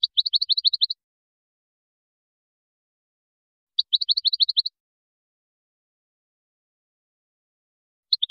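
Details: Moroccan European goldfinch singing a Widani-style song composition, recorded in 2019: bursts of high, clipped chirping notes, about eight quick notes per burst, repeated roughly every four seconds with silence between.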